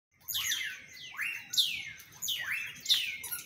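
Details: Audubon's oriole (Icterus graduacauda) calling: three loud, slurred phrases that sweep steeply down from high to middle pitch, about every 1.3 seconds, over a faint low rumble.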